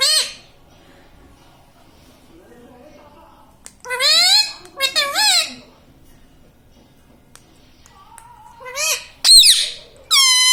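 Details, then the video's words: Household parrot speaking "mummy papa"; after a long quiet spell come clustered, strongly harmonic, up-and-down syllables, then a few loud bursts near the end. "Parrot talking mummy papa"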